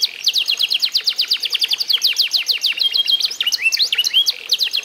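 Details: F1 SF canary at eight months, trained with master songs, delivering a long fast trill of steep falling notes, then a brief flat whistle and a tumble of mixed chirps.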